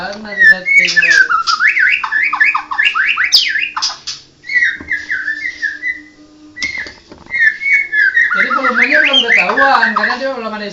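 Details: White-rumped shama, Murai Medan blorok type, in long varied song: rapid zigzag whistled notes, a run of steady level whistles, then dense warbling with lower harmonic tones.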